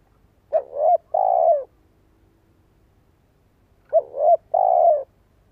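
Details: Spotted dove decoy bird whose call makes listening doves coo. Two matching phrases about three and a half seconds apart, each a wavering lead-in note followed by a longer, steady, mellow coo.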